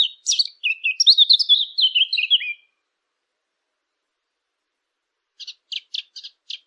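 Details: Birds chirping: a rapid run of high, sliding, twittering notes for about two and a half seconds, a long silence, then five short, sharp chirps spaced evenly near the end.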